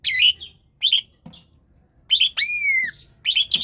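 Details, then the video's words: Jalak suren, the Asian pied starling, singing hard to get quiet birds singing: harsh rasping bursts, a pause, then chatter and a long drawn whistle that slowly falls, ending in scratchy notes. "Jalak suren gacor NGOTOT | COBA,. untuk PANCINGAN jalak suren LELET dan MALAS BUNYI"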